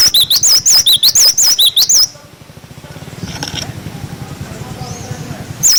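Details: 'Wucit wucit' song of a cinereous tit, a clear-voiced tutor recording for young birds: two seconds of rapid, alternating high and lower whistled notes, then quiet background hum with one brief note at the end.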